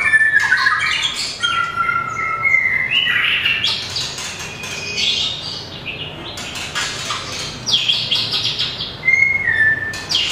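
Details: Competition singing from a small long-tailed white-rumped shama, tail flicking while hopping perches: clear drawn-out whistles, quick descending notes and harsh rasping bursts in a lively, varied stream.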